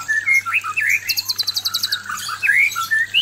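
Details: Male white-rumped shama singing at a female; looping whistled phrases with a rapid high rattle of evenly spaced notes in the middle.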